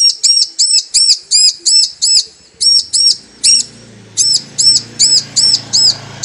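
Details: Calling female Bar-winged prinia, used to lure the male into song: a rapid run of high, bright arched chirps, almost three each second, breaking briefly then resuming, with a low rumbling hum underneath.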